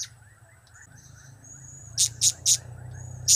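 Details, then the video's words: Blue-crowned hanging parrot giving cap, kiak and crap calls: a quiet start with a faint thin whistle, then four loud, harsh high bursts spaced about a quarter second apart, over a low background hum. "Trio Cap²/Kiak²/Crap² Semakin Gacor"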